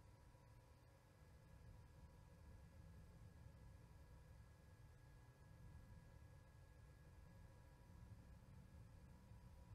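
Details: Quiet low rumble and faint background hiss, with no calls or other distinct sounds.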